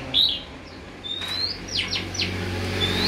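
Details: Oriental magpie-robin raised from young, singing clear rising whistles: a short high note, then a long upslurred whistle, followed by quick downward-sweeping notes and another rising whistle, against steady low background noise.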